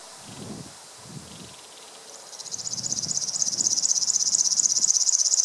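A River warbler's song: a dry, high, insect-like buzzing that pulses rapidly and steadily, starting midway through. Soft low rustling thumps come before it.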